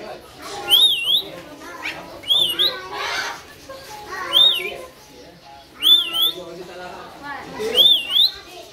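Rainbow lorikeets give five shrill, wavering squeals, each rising then dropping, about every second and a half over a busy background of softer chatter.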